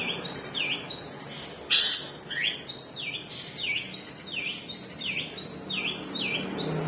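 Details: Caged long-tailed shrike with a split beak giving a long-delivery song: repeated dipping, swooping whistled notes in a steady chain, broken early by one loud harsh burst, with a low hum beneath.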